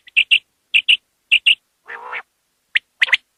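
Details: Common quail, linked to quail hunting, calling in crisp repeated three-part phrases, a short lead note and a fast pair, three phrases in a row, then a low buzzy note and further sharp notes.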